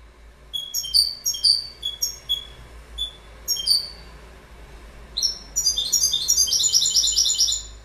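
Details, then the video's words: Goldfinch singing: several separate high, thin call notes with short downslurred whistles, then a rapid, liquid twittering burst of tinkling notes toward the end. Quiet background. "Goldfinch Bird Sound"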